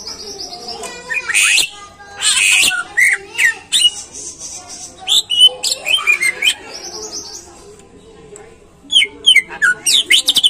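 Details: Greater green leafbird song meant to draw caged birds into lively singing: varied bursts of whistles, chattering notes and harsh squeaks in two busy spells, with a quieter pause between them.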